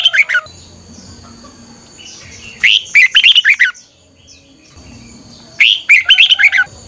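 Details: Red-whiskered bulbul morning song for training other bulbuls: three bursts of rapid, bright, choppy warbling, about three seconds apart, with a low background hum.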